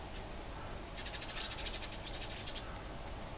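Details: Eurasian tree sparrows fighting near Bolesławiec, Lower Silesia, Poland, break into a quick burst of harsh, high chirps, about ten a second for under two seconds, over a steady low rumble.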